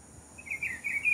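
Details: A Plumbeous Seedeater singing indoors in a house gives a brief, high warbling phrase of quick slurred notes that gets louder toward the end, over a steady faint background hiss.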